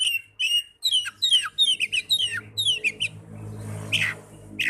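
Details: Kacer, the Oriental magpie-robin, heard as therapy for young or non-singing birds: a fast series of clear, downward-sliding whistled notes several per second, then faint, with a steady low hum throughout.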